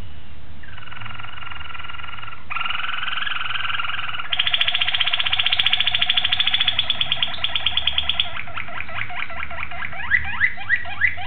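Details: Malinois Waterslager canary song recorded 26 October 2012: sustained, rich tones held for seconds and stepping upward in pitch, then breaking into a rolling series of pulsed notes that slow and space out, over a steady low background hum.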